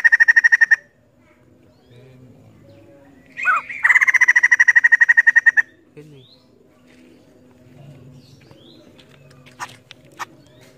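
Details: Chatty female white-crested laughingthrush, poksay jambul: a short rapid rattle, a pause, then a rising squeal leading into a longer burst of fast, evenly spaced pulses, followed by quiet with scattered faint clicks.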